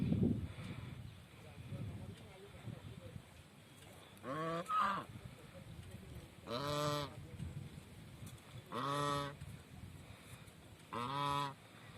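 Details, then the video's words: Distant village swan honks: single nasal honks spaced about two seconds apart over a low, steady background rumble. "Village swan video"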